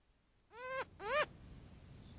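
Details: A young Cooper's hawk at a desert watering hole in hot weather, complaining to its mother, likely to be fed: two harsh, rising-then-falling nasal wails, each about a third of a second, in quick succession.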